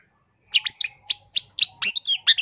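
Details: Long-tailed shrike in a masteran training recording meant to teach caged birds and lure wild ones, singing persistently with varied fill-in phrases: a rapid run of sharp, high chirps and short downslurred whistles after half a second of silence.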